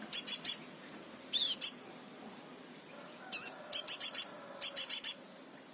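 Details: Crimson sunbird singing an unusual song style: quick clusters of three or four very high, sharp, ringing notes, the groups repeated with short pauses, over faint background hiss.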